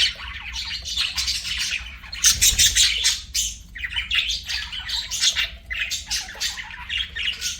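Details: Several pet budgerigars singing together, an unbroken wash of scratchy, warbling chirps and rasping notes, rising and falling in loudness in quick pulses throughout.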